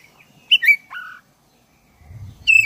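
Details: Black-breasted oriental magpie-robin in energetic song meant to provoke other caged birds: a sharp chirp, a falling whistle and a lower steady note, a pause with low rumbling, then another loud whistle.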